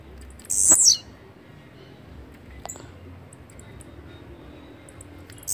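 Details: A single high, buzzy, downward-sliding phrase from a blue-black grassquit early on. Low background rumble follows, with a faint tick or two.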